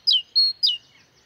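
A great tit sings a bright, ringing phrase: a sharply falling note, then a level whistled note, then another falling note. The background is quiet.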